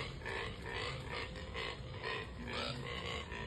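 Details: During the breeding season a Neotropic cormorant gives harsh, pig-like grunting oinks, about twice a second in rough bursts, over a low rumbling background.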